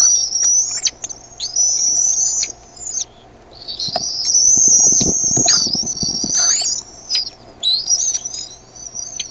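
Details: Decorah bald eaglets beg as their mother arrives with food, evening of 13 May 2015, one perhaps mantling. Long, high, thin whistled squeals run almost continuously in wavering phrases, with rustling nest movement in the middle.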